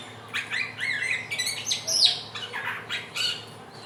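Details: Helmeted friarbird (samyong), a bird native to West and East Nusa Tenggara, Indonesia, known as the bird of 1001 voices, singing in trotolan style as a lure for learning: varied squawky, chattering phrases with rising and falling notes in quick bursts.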